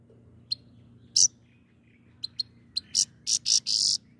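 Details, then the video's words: Grey-crowned goldfinch song of sharp high chirps and short bright buzzy bursts, sparse at first, then packed closely together toward the end. "The singing goldfinch is the best"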